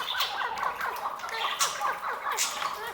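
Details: Maskati chakor (chukar partridge) calling in quick overlapping chuk notes, each a short bent whistle-like cluck, several at once, over steady hiss with a few sharp clicks.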